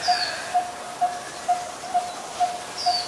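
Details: Seven evenly spaced, hollow tuk notes from a Coppersmith barbet in Ubon Ratchathani, Thailand, 23 January 2020, with a couple of high, slurred whistles from another bird at the start and end.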